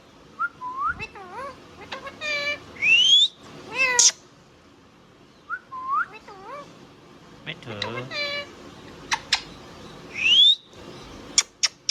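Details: Pet Indian ringneck parrot whistling and talking: short rising whistles, word-like harmonic phrases and loud upward-sweeping whistles, the sequence repeated twice, with sharp clicks near the end.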